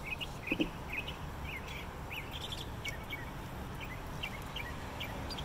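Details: A Northern Mockingbird sings from a light fixture in Bluffton, South Carolina: a melodic run of short bright chirps and trills, several a second, partly buried under a steady low rumble of traffic or machinery.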